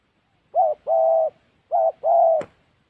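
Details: Spotted dove cooing during trapping in the wild forests of Gia Lai, Vietnam: two pairs of hollow notes, each a short coo then a longer even one. A sharp click sounds at the end of the second pair.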